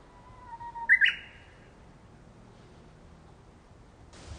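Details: Japanese bush warbler singing once under sunlight filtering through leaves: a long low steady whistle followed by a sharp, louder rising flourish, then quiet background hiss.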